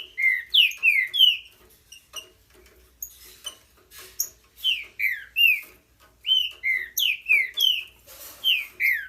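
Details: Green-winged saltator in vigorous song: rapid runs of bright downslurred whistles repeated in bursts several times a second, with brief gaps between phrases and a faint low hum behind.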